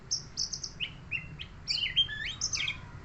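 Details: A neighbour's murai songbird delivers very high, thin repeated notes, then mid-pitched whistles and rapid, twisting chirps packed into a busy, energetic phrase.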